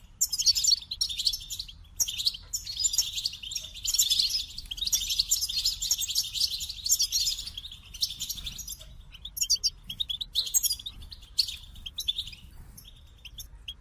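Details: Goldfinch song as a lively, sustained twittering medley of tinkling notes and dry buzzes, rushing on for several seconds before easing into sparser chirps.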